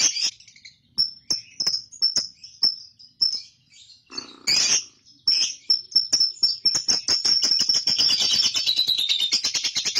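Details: Long ngekek chatter from a young lovebird: a string of short high chirps at first, a harsh squawk, then a quickening rattle of harsh clicks that speeds into a dense, continuous buzzy chatter.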